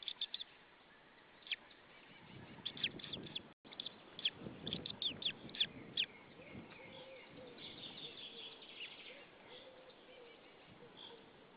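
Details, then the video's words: At a nest in Saunja, Estonia, on 26 April 2013 around 19:20, a white-tailed eagle pair shouts at another eagle. Bursts of sharp high yelps come in uneven clusters over a steady background hiss, then fade. "Saunja Sulev arrived shouting than came Linda, both shouting to another WTE"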